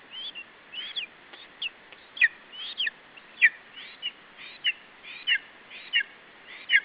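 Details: Chick of lesser spotted eagle in its nest in Estonia, July 2012, late afternoon, guarding food from the adult male: sharp, descending high whistles, some doubled, coming about once per second above constant background hiss.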